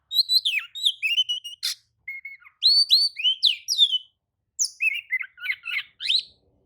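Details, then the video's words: Oriental magpie-robin in rich, varied song: rapid runs of whistled, slurred and chirping notes in three long phrases with brief pauses. This song is said to make other magpie-robins join in, worked up. "kacer manasaja jelas ikut nyaut emosi dengrar kicau kacer seperti kacer ini"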